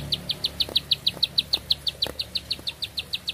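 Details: ['An actively singing bar-winged prinia in one sustained song: crisp, high, piping notes spaced evenly at about six per second, clear against a quiet background with a few faint clicks.']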